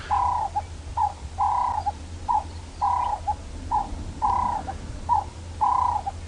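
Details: Ring-necked (Cape turtle) dove sitting and calling at sunrise on a clear winter morning, 28 June, Djuma game reserve, Sabi Sand, South Africa, repeats a mellow, hoarse longer-then-clipped coo about every 1.5 seconds over a low engine hum.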